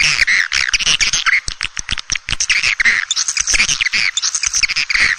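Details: Lure sound for drawing swiftlets into a bird house. A continuous, busy chatter of rapid clicks mixes with buzzy twitters and brief squeaky notes throughout.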